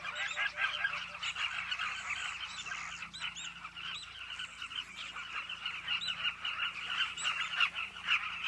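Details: A steady chorus of carmine bee-eaters at a cliff nesting colony, made of many rolling calls, with scattered short higher chirps and a faint low hum underneath.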